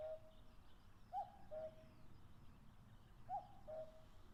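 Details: Wild common cuckoo on open grassland in the Fuji foothills, Japan, in late May, calling while busy with territorial disputes: two clear, mellow falling two-note cuck-oo calls about two seconds apart over a quiet, still background.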